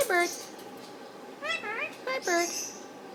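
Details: Indian ringneck parakeet chatting toward its owner and a bird caged beside it, giving high nasal speech-like syllables, three or four quick wavering bursts with falling and rising inflections, indoors.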